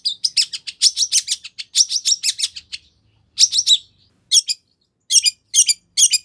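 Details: Long-tailed shrike chattering song used as a lure to make a shrike respond: rapid scratchy notes in a dense run, then short clusters separated by pauses.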